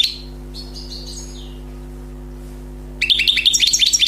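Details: European goldfinch, a wild bird freshly caught, giving a few soft slurred twitters, falling silent over a constant hum, then breaking into a rapid, sparkling run of high chattering notes.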